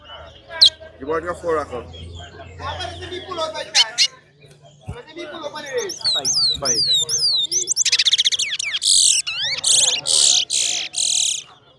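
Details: At a towa towa bird singing competition, after men's voices counting aloud, a large-billed seed-finch bursts into fast, bright, high whistled song phrases, rapidly slurred notes repeated in quick bursts.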